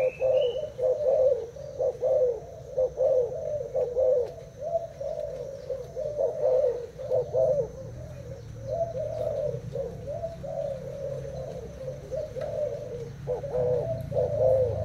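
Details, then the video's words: Spotted dove in a cooing contest with a decoy bird, caged for two days; continuous low coos in uneven bursts over fifteen seconds, with a low rumble underneath and a brief high chirp at the start. "Cu gáy thailand đấu gù mồi"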